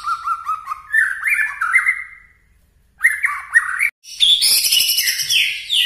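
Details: White-rumped shama, 'nembak' song: clear repeated whistled notes climbing in pitch, a pause, more whistles, then a sudden burst of shrill, dense high chatter.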